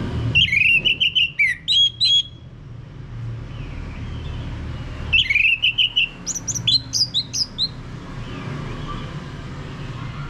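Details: Orange-headed thrush prompting song, played to make a male sing in full ngeplong style: two bursts of rich, varied whistled phrases, rapid slurred and chattering notes, separated by a three-second pause over a steady low hum.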